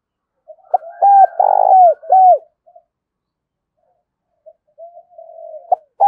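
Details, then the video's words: Spotted dove kept as a decoy for luring wild birds, giving a fast string of low, rounded coos that bend downward, followed by softer murmured notes and a final coo. "Chim Cu Mồi- cu gay kich boi nhanh noi gù"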